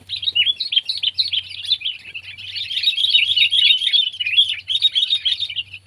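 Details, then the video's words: Sooty-headed bulbul (Pycnonotus aurigaster) in Indonesia, pet and wild birds compared; loud continuous chattering song of rapid chirps and warbles, several notes per second, with a faint low hum behind. "Burung Kutilang Peliharaan VS Burung Kutilang Liar!"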